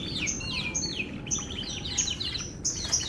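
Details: Singing F1 canary: quick series of bright downward-sweeping chirps repeated several times a second, with high thin whistles between, over a faint low hum.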